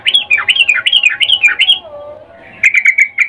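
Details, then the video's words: A female sooty-headed bulbul calls to a male, a mating call: quick series of looping whistled notes rising and falling, a soft lower slur, then a rapid string of short chirps. "Trucuk BETINA memanggil Jantan Suara Birahi Ngecuplik"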